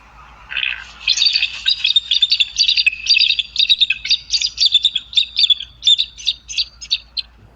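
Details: Wild bald eagle family nest on the Ottauquechee River at Quechee, Vermont (pair Windsor and Dewey, eaglet hatched April 24): a frantic run of thin, high chittering notes, about three or four a second, with a low background hum.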